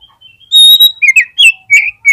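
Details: Oriental magpie-robin singing as a lure to set off other magpie-robins: faint thin whistles lead into a loud sustained whistle, followed by quick slurred, chattering phrases in short bursts.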